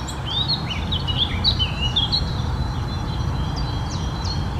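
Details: Fluty, descending whistled phrases of a Eurasian blackcap pour out in a quick warbling burst, then thin to a few scattered high notes against constant low background hum.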